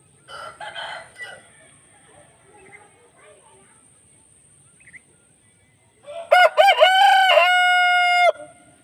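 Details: Aseel rooster crowing: after several seconds of faint, scattered sounds, a loud harsh crow begins with short rising notes and ends in a long, steady, drawn-out tone lasting about two seconds. A thin high whine runs throughout.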